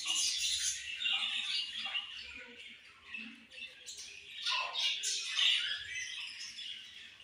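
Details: Group of budgies chirping together: a dense, continuous chatter of high scratchy chirps, squeaks and warbles that rises and falls in loudness, with a faint low rumble underneath.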